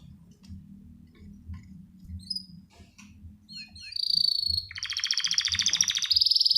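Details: Male canary calling a female, ready to mate, ngerek style. A low mechanical hum dominates at first, then sharp chips lead into a loud, fast buzzing trill that pulses steadily to the end.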